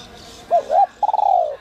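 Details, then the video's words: Spotted dove in the 'giọng còi' whistle-voice style, used to stir up decoy birds: two short rising coos followed by a long, slightly stuttering note that slowly falls in pitch, with a faint background hiss. "Chim cu gáy GIỌNG CÒI te te kích bổi cực sung, giọng nhạy bổi kích cu gáy bổi nhanh gáy"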